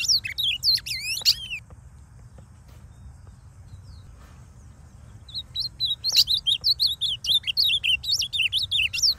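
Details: Wild male ultramarine grosbeak in masked moult toward full blue, singing free in the forest in Brazil's Northeast, giving two bursts of quick, warbled, high phrases with sweeping slurred notes, separated by a quiet pause, over a faint low hum.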